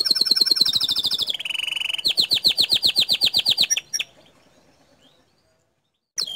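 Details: Bottle-green canary singing a master-song recording with rapid 'tembakan' bursts said to provoke other canaries: fast high trills of repeated notes, then a lower buzzy trill, then a long run of evenly spaced sharp chips before falling silent.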